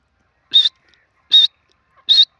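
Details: Grey francolin, known locally as teetar, from Pakistan: three loud, short, high-pitched notes, each a harsh burst about a fifth of a second long, repeated roughly every 0.8 seconds against a silent background.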